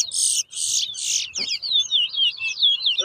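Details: Large-billed seed finch (towa towa) competing in a 2022 bird whistling contest at Bath Settlement, Guyana. Three loud buzzy bursts lead into a clear series of rapid, sliding high whistled notes.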